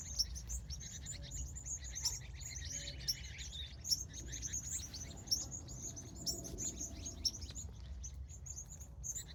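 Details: California evening birdsong at sunset, continuous high chirping and twittering with occasional louder sharp notes every second or so, faint low background noise.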